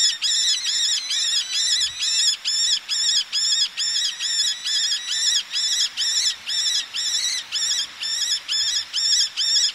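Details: Male Eleonora's falcon calling near the sea, females calling from cliff ledges: a long, steady run of harsh, nasal notes repeated at a brisk, regular pace of roughly two per second, with a louder burst partway through.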